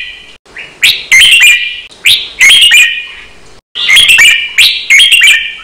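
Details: Red-whiskered bulbul song used to train caged birds, in a quick doubled counted-note style: short emphatic phrases of bright chirping, warbled notes repeated in a steady pattern with short quiet breaks between.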